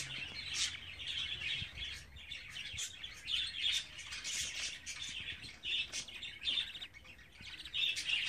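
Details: Pet budgerigar chicks aged 24 days give rough, buzzy chirps in uneven bursts, with short pauses, brief squeaks and occasional clicks.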